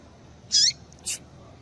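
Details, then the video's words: A female Yellow-bellied seedeater calling to stir males into song: one bright high chirp with a short lower trailing note, then a second, fainter and noisier chirp. "Melhor Piado de Fêmea de Papa capim Para Esquentar Papa capim"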